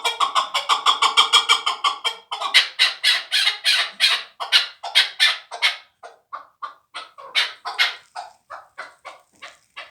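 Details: A last-year chick of a fighting chukar partridge calls in a fast, even burst of harmonic chucks. The burst slows into louder, ragged notes and ends in thinner, scattered calls.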